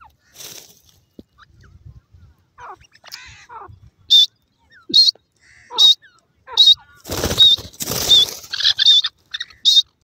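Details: Female francolin calling: after soft scattered notes, sharp high piercing notes repeat about every three-quarters of a second, with a loud burst of broadband noise partway through.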